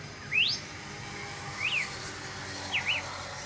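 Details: Bird song heard outdoors: three thin whistled notes, one rising, then two brief rising-falling slurs, spaced over about three seconds against a noisy low background hum.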